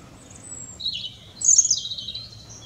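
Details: European robin singing in a tree near Clatto, Dundee: a thin high whistle drawn out, then a warbled phrase around the middle pitch, and a louder burst of very high, tinkling, sliding notes trailing off; faint low background hum.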